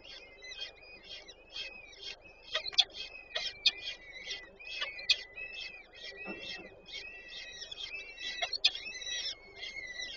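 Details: Female peregrine falcon feeding chicks at a nest in Warszawa Żerań, Poland, 8 May 2023: dense, rapid series of short rasping notes with rich overtones, overlapping into a continuous chatter, with occasional knocks.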